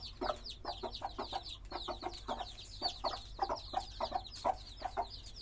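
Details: Colourful domestic chicks chirp in a lively cluster, each call a quick high downward slide, the peeps coming in uneven bunches over a faint steady drone.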